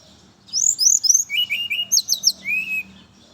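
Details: Morning song of a brown-chested jungle flycatcher, played to lure others of its kind: a rapid, melodious phrase opening with high sweeping whistles, dropping to lower slurred notes, a burst of high trills, and a final descending whistle.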